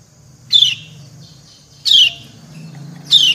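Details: Female white-eye (kecial) calling to the male: three loud, harsh, buzzy downslurred chirps, each about a quarter second long, spaced about one and a third seconds apart.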